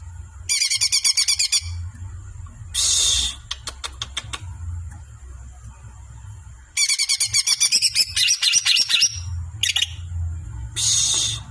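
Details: Songbird kept by a bird-song hobbyist, singing in loud high bursts: dense rattling trills alternate with harsh buzzy phrases and rapid clicking notes, separated by short pauses, over a low background hum.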